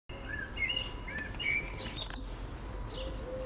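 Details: Common blackbird singing from a favorite Port Orford cedar while a second bird listens; fluty, warbled phrases that rise and fall, then a low dove coo near the end, over faint background rumble.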